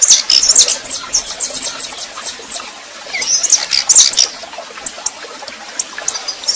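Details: Warming-up song of a female Tico Tico Rei singing like a male: sharp, high, thin chirps in irregular clusters, a couple of quick twittered runs, then quieter scattered notes amid background hiss.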